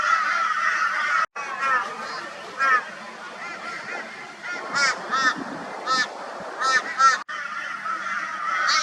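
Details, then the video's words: Crows reacting loudly to a barn owl, Brisbane, Australia, 22 February 2022. Scattered short harsh caws ring out in irregular bursts between quieter stretches, and a denser chorus swells at the start and end. "Crow Reacts to Barn Owl with High Volume Raucous Noise"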